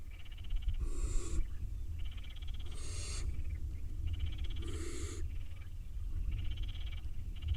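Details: Young barn owls in the nest struggle over a mouse, giving loud rasping hisses roughly every two seconds. Softer buzzy calls fill the gaps, and a deep continuous rumble runs underneath.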